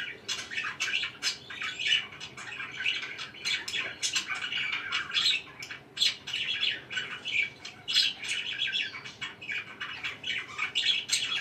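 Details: Several pet budgerigars calling indoors: lively, unbroken chatter of rapid chirps, harsh squawks and warbling notes, rising and falling in irregular pulses throughout.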